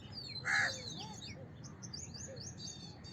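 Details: One short, harsh house crow caw stands out early, after which only soft high-pitched chirps and twitters of other birds are heard.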